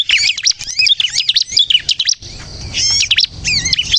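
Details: Bar-winged prinia (ciblek kristal) sounds for luring birds and encouraging them to sing: a burst of high, scratchy twittering notes, then a brief hush over low rumbling before a few more bright chirps.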